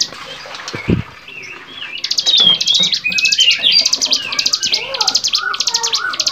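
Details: Songbird training recording of a bar-winged prinia: after a quiet start, loud repeated buzzy high trills set against thin whistles and lower downslurred chirps, continuing energetically to the end.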